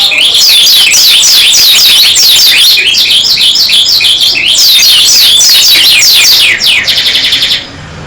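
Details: Oriental white-eye of the dakun type singing nonstop: a loud, dense run of very high, rapid down-slurred chirps that barely pause, ending in a short buzzy trill.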